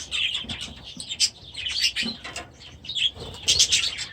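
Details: Grown-up young budgerigars in a new aviary, their first days after release. Short bright chirps come in uneven bursts, and a few lower tones sound beneath them.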